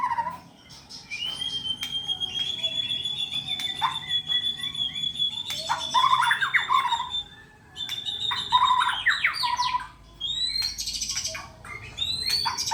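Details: Caged white-rumped shama prepared for competition, holding a long thin high whistle, then loud chattering phrases mixing low whistles and harsh bursts, ending in rising sweeps.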